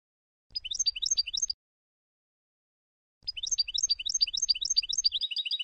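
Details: Tunisian European goldfinch from Sfax singing a song phrase used for tutoring: two bursts of rapid, high twittering notes with short rising and falling slurs, separated by a silent pause of about two seconds.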